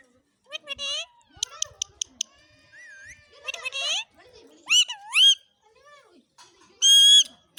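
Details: Indian ringneck parakeet in a village in Mewar, India, in a very happy mood, giving short bursts of harmonic chirps, rising and falling whistles and sharp clicks, with quiet gaps between phrases.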